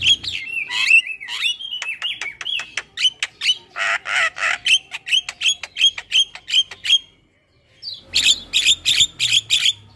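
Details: Starling vocalizing on a bird-training track: opening clear whistles, then a long run of harsh squawks repeated about three times a second, a brief pause, and more loud rasping bursts.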